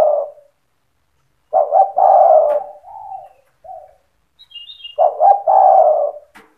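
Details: Spotted dove in 'cetretan' style, a song to excite other doves into calling: two loud stuttered coo phrases, each trailed by softer level coos, with a faint thin high twitter from another bird between them.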